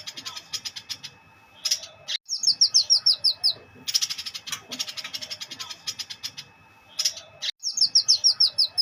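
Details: White-eyed bulbul singing in the ngleper style: dense bursts of rapid high chirps alternate with a bright, repeated descending trilled phrase, each series lasting about a second, with a faint steady high tone underneath.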